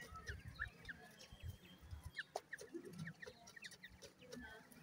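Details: Feeding grey francolin chicks utter brief, high, falling cheeps, several per second at first and then more spaced, over low rumbling and soft tapping noises.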